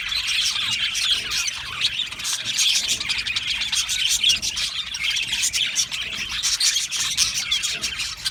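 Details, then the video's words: Many budgerigars in an aviary colony, constant twittering and chirping, crowded high notes running together with slight rises and falls in loudness. "Australian Budgie parrot chirping sounds"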